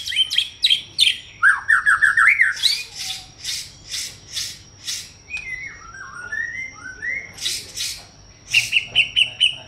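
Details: Song of a white-rumped shama: sharp harsh notes repeated in a fast series, a quick string of short rising whistles, then gliding whistled phrases before more rapid harsh notes and a high trill.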